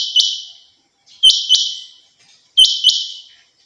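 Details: Hobby-kept female rain quail, known locally as chinga batair, giving three high double-noted calls, each pair of sharp attacks sliding into a sustained, harsh, slightly buzzy tone that fades out.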